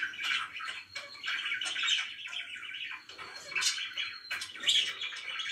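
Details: Pet budgerigars warbling together in a steady chattering stream of buzzy notes and bright tweets, with a quiet low background hum.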